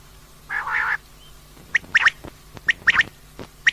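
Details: Female common quail giving a drawn-out rasping note followed by a flurry of short, sharp clipped notes in irregular groups.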